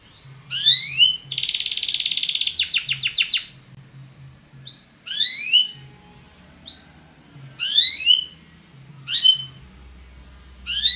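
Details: Belgian canary singing to stimulate other birds: bright chirped upsweeps, a dense buzzy roll and a fast rattling trill, then spaced bursts of sweeping notes separated by short pauses, with faint low hum underneath.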